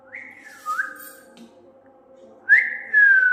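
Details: Pet parrot at home whistling in response to its owner indoors; clear, drawn-out whistles that rise then slide down, one early and another near the end, with quiet speech between.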